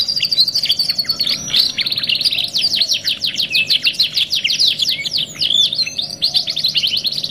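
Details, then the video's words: Canary song in a long run of fast, evenly spaced chirped notes, then a brief whistle and more quick rolling trills, all bright and high with a faint steady hum behind. "CANARY SINGING"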